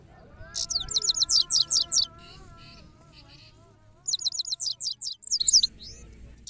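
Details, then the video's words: Goldfinch giving two bursts of quick, sharp, high twittered notes separated by a pause, over a steady buzzing hum and faint low whistles. "Gold Finch Best Singing Power Full / Sounds Of Gold Finch Bird"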